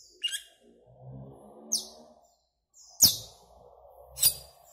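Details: Asian glossy starling, a greenish black bird, giving four sharp, high, clicking squeaks, roughly one per second, over a soft low background hum.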